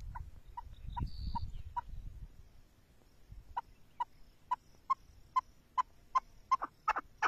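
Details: Chukar partridge, locally called keklik, giving a series of clipped, clucking chuk notes that start sparse, then repeat steadily about every half second and quicken toward the end, after low rumbling handling noise at the start.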